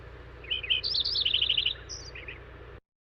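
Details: A Lincoln's Sparrow singing in a noisy area near a compressor station gives a quick, bubbly run of sweet trills shifting in pitch, under three seconds, over a steady low mechanical hum.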